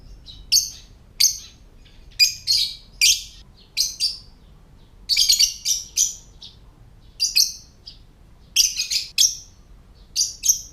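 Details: Lovebird ngetik, or typing, calls, intended to trigger other lovebirds to call and come into breeding condition: bright, harsh high chirps delivered singly and in tight runs, like tapping keys, with brief gaps between bursts.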